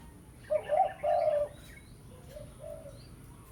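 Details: Spotted dove lure coos used to call a rival, pesom style; one loud, slightly rough two-part coo, followed by a fainter, softer echoing phrase and a brief note at the close.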